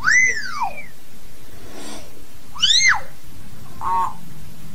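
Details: Hill myna calling its flock: loud, clear, arching whistles that rise and fall, each with bright overtones, repeated about every two and a half seconds, with harsher breathy bursts and a short low nasal note between them.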